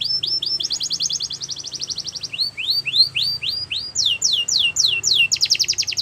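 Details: Belgian canary singing continuously: fast whistled trills, then measured rising swept notes at roughly three per second, then more rapid trilling tours. There is a faint low rumble behind.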